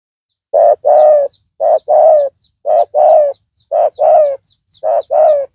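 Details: Loud-voiced spotted dove calling as a decoy to draw in a rival. Paired hoarse coos, a short note then a longer one, repeat about every second. Thin high chirps from other small birds run through the background.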